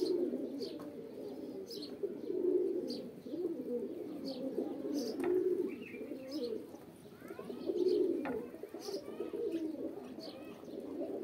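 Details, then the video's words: Overlapping deep pigeon coos swell and fade in waves, with sharp faint clicks and brief higher chirps mixed in. "Pigeon Videos | Kabootar Ki Video Episode-5| Birds Sounds"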